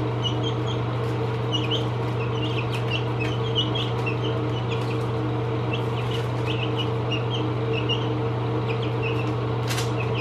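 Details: Peeping of 17-day-old baby chicks: many overlapping short, high chirps, rising and falling, tumbling irregularly and continuously over a loud constant low hum, with a brief sharp click near the end.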